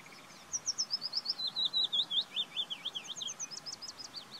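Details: Willow warbler song: a quick, sweet cascade of about twenty short whistled notes that slide gradually lower in pitch, ending in sharper downward-swooping notes, against a quiet outdoor background.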